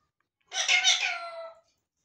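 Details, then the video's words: Talking parrot making one harsh, laughing, giggle-like vocal burst that lasts about a second and fades away, with silence around it. "Talking Parrots"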